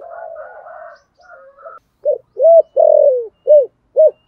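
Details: Spotted dove in 'thổ sấm' voice, soft muffled warbling first, then a loud burst of short arched coos around one long falling note, typical rapid thúc gù cooing.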